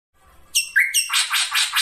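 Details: Drongo singing in the rolling 'ngeroll' style, kept as a tutor recording for songbirds: a high, harmonic-rich whistle and a short lower note lead into a run of loud, buzzy notes that repeat quickly. No other sounds stand out.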